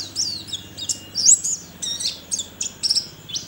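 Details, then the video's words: A contest white-eye from Sambas, West Kalimantan, sings in an online competition: sharp, very high chirps and quick downslurred notes in irregular bursts, with light background hum. "LOMBA PLECI ONLINE 9 - Aksi Pleci KERAMAT"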